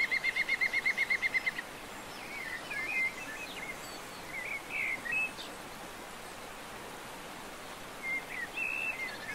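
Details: Recorded in León, Spain, in January 2022: a European green woodpecker (Picus viridis) opens with a rapid run of about ten equal notes, followed by scattered chirps and short twitters from other small birds amid soft background noise.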